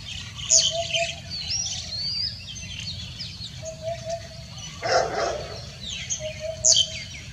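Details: Common hoopoe calling on a heavily foggy Sunday morning, 31 January 2021: soft, low triple hoots, oop-oop-oop, repeated about every three seconds beneath a busy chorus of high chirping and twittering birds.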